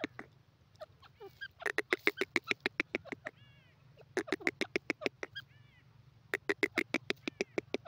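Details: Grey francolin, or teetar, from partridge breeding, giving rapid runs of harsh, loud, clipped notes at roughly three per second, broken by short gaps. Softer arched, whining notes sound between the runs over a low steady hum.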